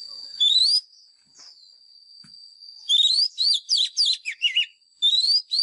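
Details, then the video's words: A white-rumped shama lure bird's fighting song, used for training caged birds: one rising whistle, a pause with a steady faint high tone, then a rapid series of bright slurred notes and another rising whistle. "Chòe than mồi # Chòe than mồi Hót đấu CHIM RỪNG || Luyện giọng chòe than hót"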